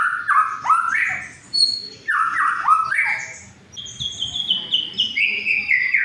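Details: White-rumped shama song meant to stimulate silent birds to sing and stir rivalry: repeated rising whistled phrases in bursts, followed by a series of high thin descending notes.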